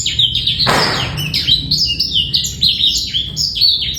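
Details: Male black-throated canary pouring out quick, sweeping twitters meant to make females come into breeding condition; a brief rushing noise near the start, then bright, clear falling notes in rapid rhythm.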